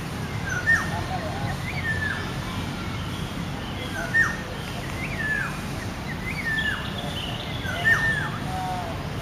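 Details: In Taman Suropati city park, Menteng, Central Jakarta, a Black-naped Oriole gives clear, fluty downslurred whistles about every three to four seconds, with other faint bird notes over a steady low rumble.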